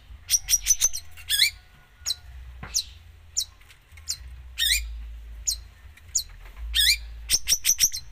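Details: Gacor long-tailed shrike with a song full of isian, giving scattered sharp clicks and short high chirps, some rough squawky notes, delivered irregularly with pauses.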